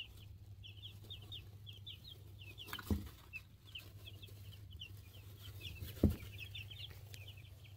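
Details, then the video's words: Two-week-old chicks in a brooder, mixed cream crested legbar, buff orpington, black sexlink and partridge silkie, recorded on a cell phone: continuous high, rapid peeping from several chicks over a steady low hum, with two loud knocks. "2 week old chickens."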